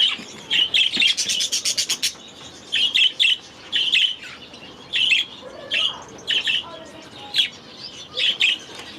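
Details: Young budgerigars in a new aviary during their first days; short bright chirp bursts repeated roughly every half second to second, with a brief rapid buzzy rattle near the start.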